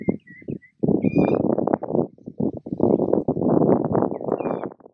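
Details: At Patchewollock Conservation Reserve, Victoria, young Mulga Parrots are fed, producing long stretches of coarse, throbbing, rapidly repeated begging sounds, opened by a few short whistled notes and a faint high whistle later.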